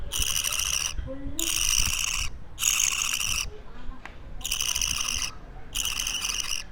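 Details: Baby budgie, two weeks old, in captivity: five coarse, hissing, rasping calls, each just under a second, in a fairly even series with short gaps, and soft low background noise throughout.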